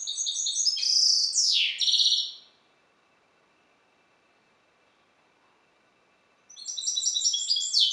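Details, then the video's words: Singing goldfinch hybrid bred from C. c. balcanica: twittering trills leading into two loud harsh downward buzzes, then about four seconds of silence before another bout of high tinkling notes begins. "Śpiew bastarda po C.c. Balcanika"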